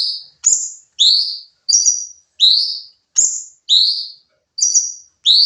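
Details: Sooty-headed bulbul training recording of rapid song: bright whistled phrases pour out almost without gaps, alternating high flat notes and rising slurred notes about twice a second, with a few faint clicks.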